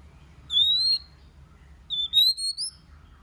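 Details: White-rumped shama singing in many voices to rouse other shamas: two clear, high, steady whistles, each gently rising, separated by a pause of about a second, with one short note tucked between them.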